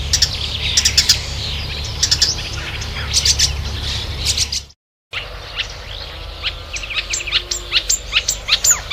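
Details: Marsh warbler singing rapid chattering clusters of high notes, cut off by a brief silence before resuming with thin, quick whistled slurs against a faint low background hum.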